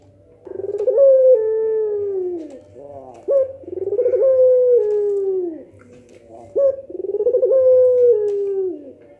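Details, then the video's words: Barbary dove giving the pelung style of coo, said to set other doves answering: three calls about three seconds apart, each a sharp clipped note, then a rolling pulsed coo sliding into a long drawn, slowly falling tone, over a low steady hum. "suara puter pelung nangguk bikin puter lain saling respon"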